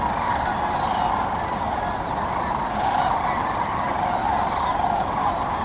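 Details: A large flock of sandhill cranes gathering at Muscatatuck National Wildlife Refuge, Indiana, makes a dense, unbroken chorus of rolling, rattling calls that blend into a steady roar throughout.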